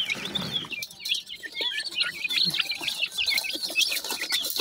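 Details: A brood of pheasant chicks peeping to their mother while feeding, a dense chorus of high, falling cheeps repeated rapidly, over a steady background hiss.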